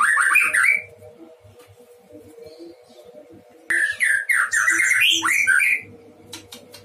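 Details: White-rumped shama in a breeding cage delivering lively song: a burst of rich fluty slurred notes, a quiet gap with low background rumble, then a longer run of varied whistles and sweeping rising and falling phrases.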